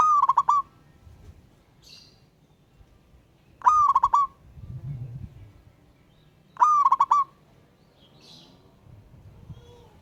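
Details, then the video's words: Wild zebra dove answering a rival with three cooing phrases roughly every three seconds, each a rising note then a fast bouncing run of short coos; faint low rumbles and soft chirps in the gaps. "Burung Perkutut LOKAL Alam Ngayer Memanggil Lawan Ikutan Manggung Gacor"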